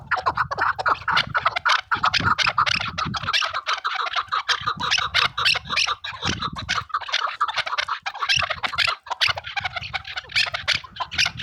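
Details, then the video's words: Several chukar partridges give harsh, rapid clucking chatter in dense bursts, calling over one another without pause, with occasional low rumbling thumps. "مختلف اوازونه د زرکانو | chakor ky awaaz"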